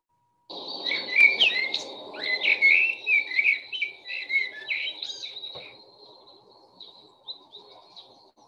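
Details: Common Blackbird singing one long, rich, varied phrase of warbled fluty notes, about five seconds, over a faint low hiss; blackbirds sing a different phrase each time and have just started singing in the last couple of weeks.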